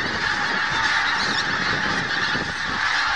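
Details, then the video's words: Large flock of geese at Snettisham before dawn, a mass of overlapping honks forming a dense, continuous chorus with no breaks. "Snettisham Geese"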